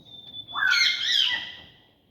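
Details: A macaw kept in a cage and climbing on its net gives a long, raucous two-part squawk, rough and loud, over a steady high thin whistle from another caged bird.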